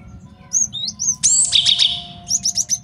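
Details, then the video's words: Male cinereous tit, a recording used as master song for training birds and for trapping: high thin whistles and sliding notes, then a dense burst of sharp chirps, ending in a quick run of repeated high notes over faint low hum. "MASTERAN GELATIK BATU JANTAN BAGUS BUAT MIKAT DAN MASTERAN BURUNG JAWARA"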